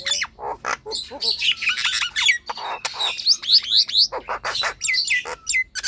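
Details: Nias hill myna song meant to prompt lazy birds to sing, with quick chirps and harsh notes and a run of repeated rising whistles in the middle, then scattered clicks.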